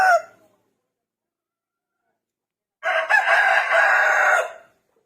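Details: Morning crow of a rooster that always wakes its owner: the tail of one crow fades out, then after more than two seconds of silence a full, loud, sustained harmonic crow of about two seconds ends abruptly.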